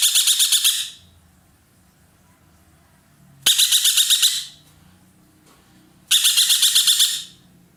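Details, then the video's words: Intense calling of an ekek keling roller kept by Indonesian bird fanciers: three harsh, rapidly pulsed bursts, each near a second long, separated by pauses of about two seconds. "burung ekek Keling gacor nembak"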